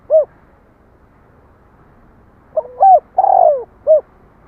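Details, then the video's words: Spotted dove: a single short hoot, a pause of over two seconds, then a full phrase of clipped hoots rising into a long, falling, hollow coo and a final short note. "Tiếng chim cu gáy"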